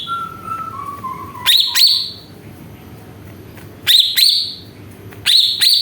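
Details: Greater green leafbird lure song to rouse other birds. A thin whistle slides down in steps, then loud bursts of high, sharp, rising chirps come in three short clusters.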